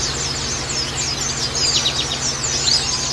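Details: Rapid, high-pitched white-eye chatter, overlapping downslurred chirps in a continuous wash, played to get other white-eyes singing; steady low hum behind.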